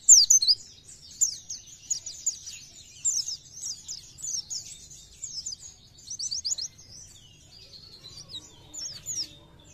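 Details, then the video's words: Oriental white-eye singing vigorously in the rapid 'nembak' style: bursts of high, thin chirps and quick downslurred twitters, separated by short pauses, with a faint low rumble underneath. "PLECI GACOR NEMBAK BIKIN PLECI TAMBAH GACOR"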